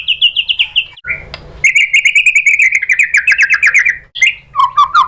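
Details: White-rumped shama (murai batu) song used in Indonesia as a stimulus to provoke caged shamas into answering and singing. Rapid series of fast repeated notes, then a long buzzy trill, with brief clear whistled phrases between bursts.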